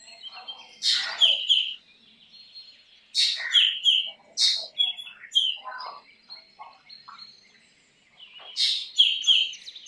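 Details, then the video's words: Singing black drongo repeating phrases of a harsh scratchy note followed by two or three sweet whistles, with quieter twittering between phrases and a final phrase near the end. "Black drongo Singing Song ! Black drongo Call ! Black drongo Sounds ! Black drongo Vocals"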